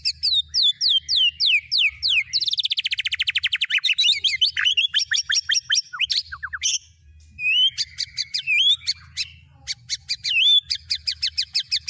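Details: White-rumped shama song meant as fill-in material to teach a shama the songs of cililin, canary and lovebird: rapid high descending whistles, then a long fast buzzy trill, then clipped sharp chips and sweeping notes.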